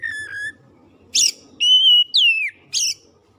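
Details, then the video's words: Oriental magpie-robin song used to get a reluctant bird singing: a steady low whistle, a rasping burst, a long pure high whistle, a downward-curving slur, and another harsh burst. "KACER NGEDROP MACET MALAS BUNYI PASTI LANGSUNG GACOR DENGAR OCEHAN INI"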